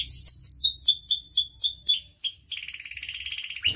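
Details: Canary producing a run of quick repeated descending whistled slurs, about four per second, followed by a buzzy high trill, with low background rumble.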